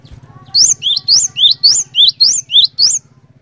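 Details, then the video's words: Lure song of a lively cinereous tit that sets other tits singing: a quick series of sharp, rising whistles that alternate between two pitches, eight notes in under three seconds, with a low droning hum beneath. "PANCINGAN BURUNG GLATIK BATU GACOR INI ASLI BIKIN GLATIK BATU LAIN LANGSUNG IKUT BUNYI"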